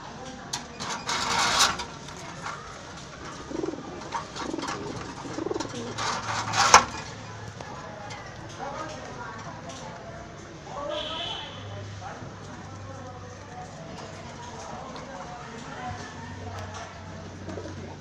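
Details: Female and paired pigeons giving a short run of three low, soft coos midway, among loud rustles, clatter and a voice, with a faint steady hum underneath.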